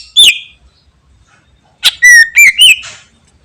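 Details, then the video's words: Greater green leafbird singing its full repertoire, meant to prompt other birds to reply: one sharp whistled note, a quiet gap, then a quick run of clear slurred whistles stepping up and down, ending in a buzzy trill. "Cucak Ijo Gacor Full Materi Bikin Burung Lain Langsung Nyaut"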